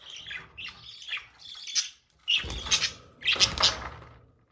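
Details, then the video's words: Mating budgerigars giving loud, harsh squawking chatter in two main bursts separated by a short silence, with the notes rich and buzzy. "budgie mating"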